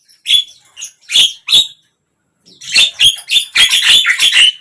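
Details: Javan myna song to coax a non-singing bird: three spaced, scratchy notes, a pause, then a rapid stream of harsh chattering squawks with thin whistled tones.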